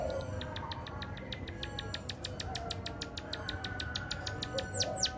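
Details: Munia trained with canary song, delivering a rapid, steady series of short, high, thin notes at roughly two per second, ending in a few sweeping upslurred notes, over a low rumbling background.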